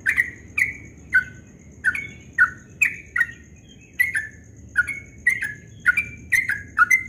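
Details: Yellow-vented bulbul singing its quick ropel song at dawn, called very melodious: crisp, separated whistled notes, each bending downward, about two per second, over a quiet background with a faint high whine.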